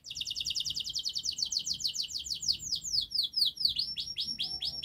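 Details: Canary song, long, fast and tight, played as a model for young canaries: rapid high trills of repeated notes that slow into sweeping downslurred whistles toward the end.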